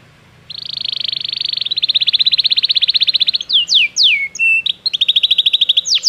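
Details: Belgian canary song for training: after a quiet start, a long buzzy rolling trill steadily pulses, then several sharp descending whistled sweeps and a renewed trill, with faint low background hum.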